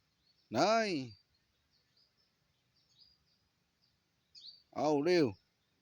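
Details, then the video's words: Bantam rooster being trained for a crowing contest, crows being counted: two short, harsh crows about four seconds apart, each rising then falling, with faint small chirps in between. "นับดอกไก่แจ้ ซ้อมไว้แข่งขันชิงถ้วยทอง(ไก่เเจ้ทีเสียงดีที่สุด)"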